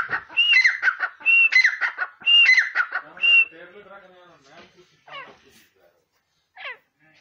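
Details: Grey francolin out of its cage, a teetar known to call on a whistle, delivers about four loud harsh chattering phrases with whistled openings over three seconds. Fainter mixed sounds and a few brief sharp notes follow.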